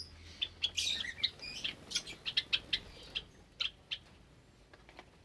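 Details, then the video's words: Java sparrows in an aviary with new chicks, morning of 8 May 2022; a scratchy burst opens, then clear high tink notes repeat roughly every third of a second, thinning out toward the end. "Java Finch Aviary | Sunday Morning, May 8th, 2022 | More Chicks From Java Sparrows"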